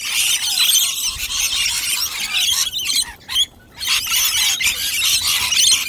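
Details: Rainbow lorikeets, a wild flock eating nectar mix from a dish, give intense high screeching chatter that drops out briefly midway before resuming at full volume.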